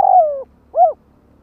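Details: End of a spotted dove kích bổi luring phrase: a long mellow coo falling in pitch, followed after a short pause by a brief rising-and-falling arched coo.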